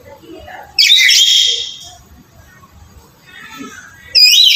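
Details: Harsh black-capped lory squawk, meant to prompt a reluctant bird to call: one rasping, noisy call about a second long, soft chatter and murmurs, then the start of another loud squawk.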